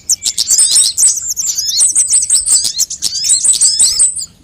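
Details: Mixed sunbird calls used as a bird lure and singing tutor: a steady stream of piercing, high-pitched twitters and rapid trilled notes from overlapping birds, fading slightly at the end.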